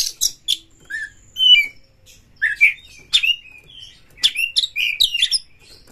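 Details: White-rumped shama kept in a cage in Indonesia, singing to stir other birds to sing: scattered sharp upslurred whistles and clicks in quick groups, with short gaps between phrases.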